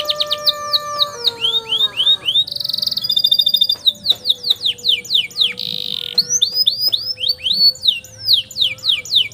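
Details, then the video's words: Loud canary song for tutoring young canaries, rich in variety: falling sweeps, steady whistled tones, a short buzzy roll, a high metallic trill, then repeated rising and falling slurs in quick succession. "KENARI NGEROLL PANJANG UNTUK MASTERAN KENARI PAUD"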